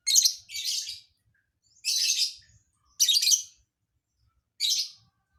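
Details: Unusual filler song from a lovebird: five sharp, scratchy high-pitched chirp bursts, the first two close together and the rest spaced about a second apart, with quiet gaps between.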